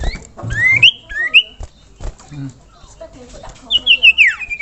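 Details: Iora calling to prompt other ioras to join in: bright rising and falling whistled slurs in short clusters, separated by quieter gaps with faint low murmurs.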